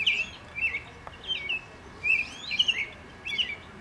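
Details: A European robin perched on a fence sings at length in short, thin, high warbling phrases, each under a second, separated by brief pauses, over a faint steady background hiss.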